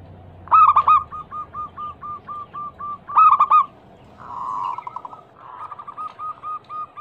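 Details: Zebra dove song meant as a lure to get other doves singing: two loud stuttering coo bursts about 2.5 s apart, each followed by long even trains of soft, quick, clipped coo notes.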